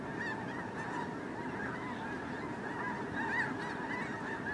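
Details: Snow geese during migration, a huge flock filmed from above: dense, continuous chorus of overlapping nasal honks and yelps, a steady roar of many birds calling at once with no gaps.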